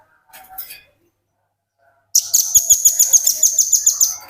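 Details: Velvet-fronted nuthatch used as a tutor bird, singing in the ngebren style. A few faint high notes come first, then two seconds of near silence. A sudden loud, shrill, fast trill of evenly spaced sharp notes follows and continues to the end.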